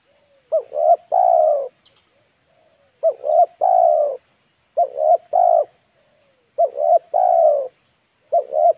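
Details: Spotted dove call used to lure wild birds: a repeated three-part coo, two short rising notes then a longer falling note, around 600–700, phrases spaced about two seconds apart; faint steady high hum in background.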